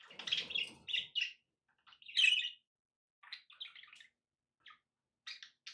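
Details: Budgerigar chirps and warbled notes in short bursts separated by quiet gaps, with a soft rustling noise at the very start.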